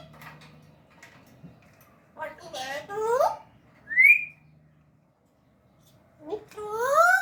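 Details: Pet African grey parrot mimicking speech in Urdu and Hindi, giving speech-like syllables, a sharp rising whistle and curving harmonic notes in three short bursts between quiet gaps, recorded indoors.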